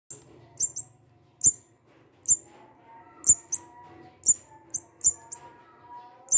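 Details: Munia found behind a house and now being hand-raised, calling when hungry: short, sharp, very high chirps given singly or in quick pairs, about once a second, with faint low hum and soft background tones.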